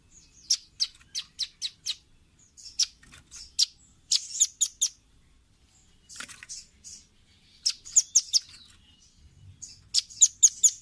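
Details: Velvet-fronted nuthatch song used as a training recording for caged birds: bursts of sharp, high chipping notes in quick series, pausing between runs, with a few buzzier notes, over a quiet background.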